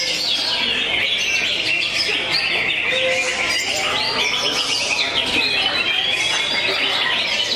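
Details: A greater green leafbird delivers jangkrik balap, a racing-cricket style of song. Continuous shrill chatter of quick trills and buzzy, cricket-like notes keeps going throughout, with brief whistles mixed in and other birds chirping densely behind.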